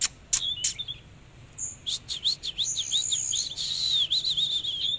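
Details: Oriental magpie-robin singing during a dancing display: a few sharp clicks, then a fast, sweet, whistled warble of looping rising and falling notes that runs continuously for about three seconds.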